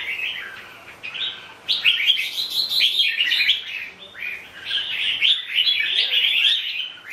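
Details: Lively red-whiskered bulbul song, with dense warbling phrases strung together almost without a break, rapid chirpy notes, and a short quieter gap in the middle.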